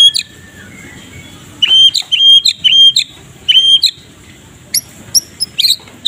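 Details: Murai batu medan (white-rumped shama) singing in the morning: short bursts of clear high whistles and sharp chips separated by pauses, a faint steady high hiss behind; offered as a training model for other birds.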